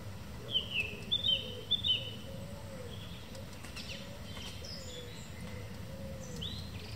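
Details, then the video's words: Song thrush heard singing in the evening: a high, squeaky double phrase repeated three times in quick succession, then fainter, thin distant notes against steady low ambient noise. "Song Thrush singing in the evening"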